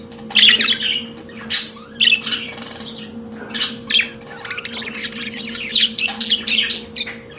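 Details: Pet budgerigar warbling: scratchy squawks early on, then a quick stuttering sequence of clicky, buzzy chirps packed closely together, with a low steady hum throughout.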